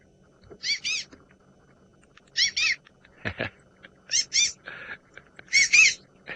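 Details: Southern White-crowned Shrike, a cooperative breeder living in groups with a breeding alpha male and female, at Djuma Game Reserve, Sabi Sand, South Africa; squeaky-toy-like paired chattering bursts, high and rapidly repeated, with a few low knocks in between.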